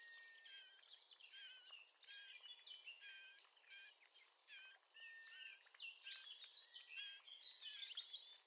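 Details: A male Eurasian blackcap about 30 metres away sings a fast, rich warble of clear, fluty high notes, running almost without pause through the recording against faint background hiss.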